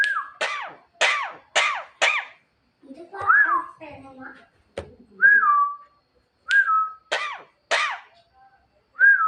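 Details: Javan myna calling its mate at night: a series of loud, harsh, downslurred notes repeated about every half second, broken by level whistles and soft rough chatter.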